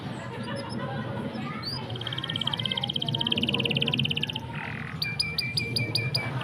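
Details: Canary singing: a fast, buzzy, even trill held for about two seconds, followed by a row of sharp high chirps repeated about six times, over a low background hum.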